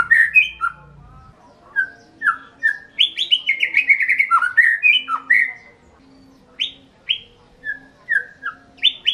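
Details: White-rumped shama kept as a hobby songbird in Indonesia, singing varied clear whistled phrases, some rising and others falling, with pauses between bursts and a faint low hum behind.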